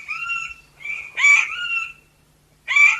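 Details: A Chestnut Forest Rail, a shy New Guinea rainforest-floor rail, gives three harsh, raspy squealing notes, the middle one longest, in under two seconds' spacing.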